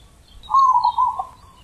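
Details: A single loud, rolling coo phrase from a wild zebra dove singing deep ulem-style manggung, trilled and slightly falling at the end, with faint high chirps behind.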